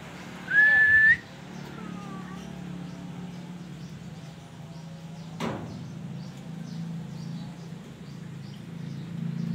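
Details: A tame Aceh black-naped oriole, newly moved to a different cage and seemingly stressed or confused, gives one loud, fluty whistle rising slightly at the end, then a faint falling slur, over a steady low hum and a sharp knock.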